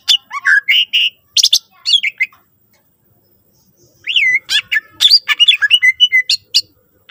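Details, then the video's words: Greater green leafbird song, used to prompt other leafbirds to sing: a burst of harsh, squawky and whistled notes, a silent gap of nearly two seconds, then a longer run of sliding whistles and sharp chips. "cucak ijo gacor full isian mewah sangat ampuh pancing c ijo lain agar ikutan rajin bunyi"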